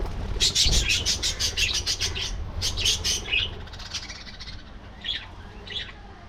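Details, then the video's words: Budgerigars in a colony aviary chatter in a fast burst of rapid, high chirps for about three seconds, then a few scattered single chirps over a steady low background rumble. "Budgie Life: Singing, Gossiping"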